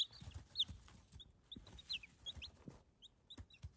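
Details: Baby chicks giving high, short peeps, some sliding downward, scattered irregularly through the clip, with soft rustling and pecking noises underneath.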